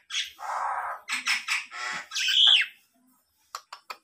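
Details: A tame Black-naped oriole mimics a police car siren, giving harsh, nasal squawks and a rising, whining note like a siren, ending with three quick sharp clicks.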